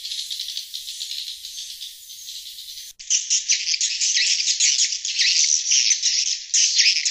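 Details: Call of swiftlets used to draw wild birds: softer buzzy chattering for three seconds, a sudden cut, then louder, harsher high-pitched rattling twitters pulsing about twice a second.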